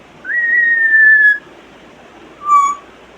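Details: Mimicking African grey parrot kept as a pet: a long, level whistle held for over a second with a slight fall, then a shorter, lower whistle a second later.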